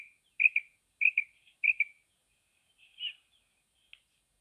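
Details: Female quail calling: short paired high chirps repeated about every half second three times, then a softer, buzzier note and a faint click, in otherwise quiet surroundings.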